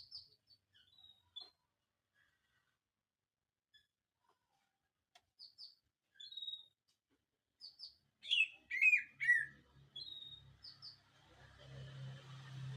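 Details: White-rumped shama from Indonesia singing: clear short whistled notes spaced out with pauses, then a louder run of sweeping, descending whistles and chatter, ending in a faint rasping hiss over low hum.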